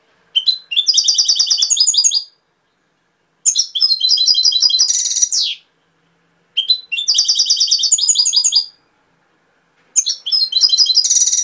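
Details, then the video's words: European goldfinch performing a Cobia Málaga (Touilila) song: four similar phrases of rapid tinkling twitters and buzzy trills, each about two seconds long, separated by short pauses of roughly one second. "Jilguero cantando Cobia Málaga -Touilila"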